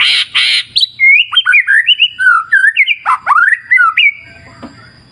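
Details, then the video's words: White-rumped shama singing in a clear wild-river nature setting: two harsh, noisy bursts open, then a rapid, varied run of rich whistled phrases, sliding and warbling up and down, ending in a long steady whistle before fading to quiet. "Terapi Murai Batu Ala Alam Liar Sungai Jernih"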